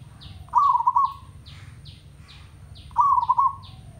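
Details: Zebra dove from a village, singing in tandang style: two quick bubbling phrases of stuttered coos ending in a trailing note, about two and a half seconds apart, over a series of higher descending chirps from another bird.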